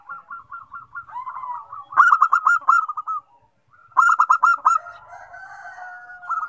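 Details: Zebra doves (perkutut) set singing by one bird. An evenly spaced run of soft coos gives way to two loud bursts of rapid pulsed notes about two seconds apart, with softer overlapping cooing after.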